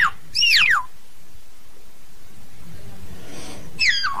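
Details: Common hill myna singing to call the flock, giving loud descending whistled notes, a pair near the start and another at the end, separated by a quiet gap with faint low background noise.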